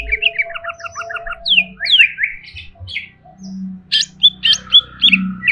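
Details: Agitated greater green leafbird, caged, delivering a rapid chattering series, then long downslurred whistles and sharp rising notes, followed by loud clipped chips.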